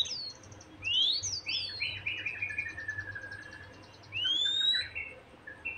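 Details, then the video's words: Song of a White-rumped shama, used to stir another shama to sing: clear upslurred and downslurred whistles mixed with descending series of short notes, fairly soft against a steady low hum. "Pancingan Emosi Murai Batu Agar Cepat Gacor"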